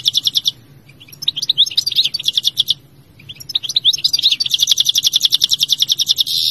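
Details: European goldfinch in vigorous song: fast tinkling twitters and chirps, high and bright, in bursts broken by a brief pause, then a long unbroken run of rapid notes toward the end.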